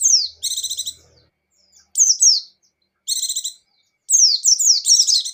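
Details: Lively 'gacor'/'ngecir' singing from a buxtoni white-eye: sharp falling whistles and rasping stacked trills in separate phrases, building at the end into a dense tumble of rapid high slurred notes.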